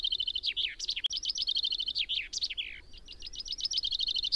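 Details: Common chaffinch singing: rapid runs of bright, even notes that accelerate into a descending trill and end in a sharp downward flourish, phrases following one another almost continuously, with a faint low rumble underneath.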